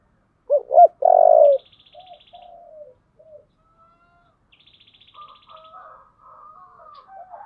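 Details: Single "giọng thổ" phrase from a spotted dove opens: two quick low notes and a long coo, then only faint chirps, soft clicks and a thin high buzzy trill from other birds.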